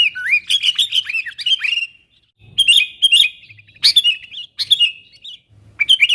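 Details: Talkative sooty-headed bulbul calling to wild companions to lure them in: a fast bubbling string of chirps, then several shorter clicky phrases of warbled notes separated by brief pauses.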